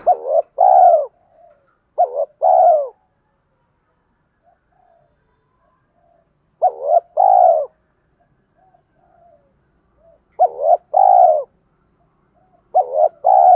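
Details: Male and female spotted doves calling, used to stir trained birds into cooing: about five two-part coos spaced irregularly over the stretch, each a quick wavering note then a fuller sustained one, with faint short murmurs between.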